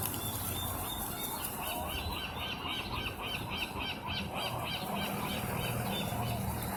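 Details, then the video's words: Gulls at Rockaway Beach being fed lunch: a fast, evenly repeated series of yelping notes runs through the middle, with steady surf-like background noise. "Seagulls having lunch"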